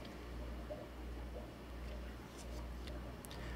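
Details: Indoors, a steady low hum runs throughout with faint scattered ticks and no animal voice.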